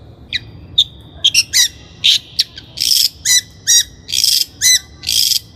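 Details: Long-tailed shrike song used as a lure recording for training captive birds: harsh, high chattering notes and buzzy bursts, irregular at first, then a run of short rasping phrases about every half second.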